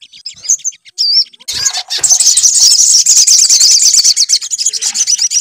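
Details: A few thin high chirps open this sunbird lure, meant to make the bird sing, then a dense, fast, high twittering trill runs on steadily to the end.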